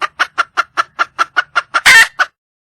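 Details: A wild junglefowl hen seeking a male utters ten steady, evenly spaced clucks at a brisk pace, then a sudden loud, rough squawk and one last cluck.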